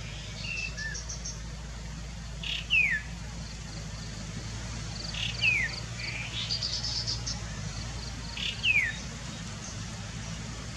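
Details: Chestnut-capped babbler calling: a clear, slurred whistle falling steeply in pitch, given three times at roughly three-second intervals, with faint higher chirps from other birds and a steady low rumble behind.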